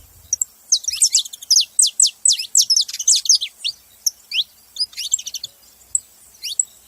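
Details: Clear, loud saffron finch chirps come in quick runs of bright, falling notes, then become sparser, thinner calls. The background is almost silent.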